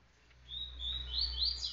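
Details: A recently caged green-winged saltator, three days in captivity and now feeding and beginning to sing, gives a short burst of clear, high whistled notes that slur and rise over about a second, over a low indoor hum.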